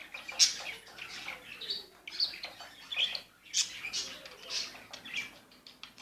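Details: Newly bought budgerigars calling: a run of short, scratchy chirps and squeaky notes about every half second, with soft rustling and faint fluttering between them.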